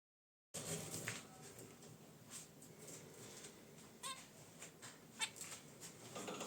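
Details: Caged pet zebra finches relaxing beside their wicker basket nest: a few short, nasal honking calls with stacked harmonics, spaced several seconds apart over a quiet indoor background with faint rustling.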